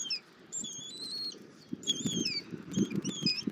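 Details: Short, high, slurred whistles from a bald eagle eaglet at breakfast with its mother in Southwest Florida, 24 February 2024, partly under louder low rustling and shuffling in the nest.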